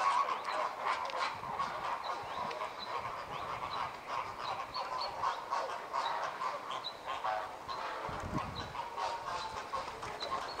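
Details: A group of American flamingos in communal courtship display, synchronizing head-turning and wing-opening before breeding: a dense, continuous chorus of nasal, goose-like honking overlaps throughout, with scattered higher squawks and no pauses.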